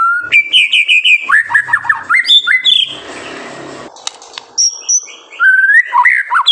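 White-rumped shama singing a rich, varied song of clear whistles, fast trills and rising-falling phrases, with a brief harsh rasping passage in the middle.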